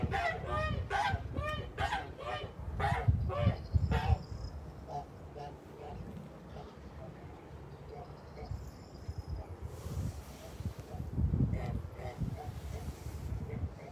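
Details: Kholmogory geese at a farm on 29 March 2021 open with a fast, loud run of nasal honks for about four seconds, then softer scattered honking and farmyard rumble follow.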